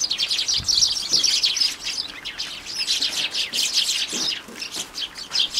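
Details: Several sparrows feeding at a household bird table on 2 January, chattering busily in a steady stream of short, bright, overlapping tweets.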